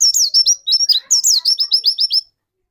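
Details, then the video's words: Pleci, a white-eye kept in Indonesia, delivering lure song used to provoke another bird into singing: an unbroken two-second stream of very high, sweet, downward-flicking notes, densely packed and evenly loud, ending abruptly. "burung pleci pancingan"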